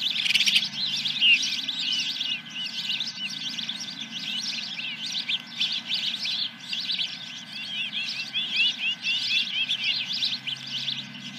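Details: Ospreys at a nest at Dunrovin Ranch on 10 July 2021, around the first fish: a dense, continuous chatter of high, quick chirps and squeaks pouring out for seconds on end, over a steady low electrical hum.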